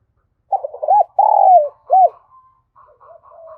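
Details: Spotted dove calling as a lure to draw in wild doves: a run of husky, arched mid-pitched coos, one longer drawn-out coo in the middle, then fainter, softer coo notes trailing off.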